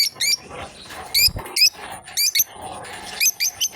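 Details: Two lovebirds playing together, chirping steadily: bright, sharp, high-pitched chirps with a bent, squeaky tone, coming in short bursts of one to three roughly every half second, with a faint steady high hum behind.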